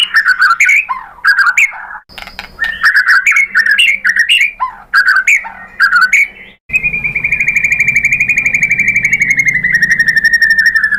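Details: White-rumped shama song played to trigger singing: loud varied warbled phrases broken by short silences, followed by a long, continuous, buzzy, rapidly pulsing trill at an even pitch.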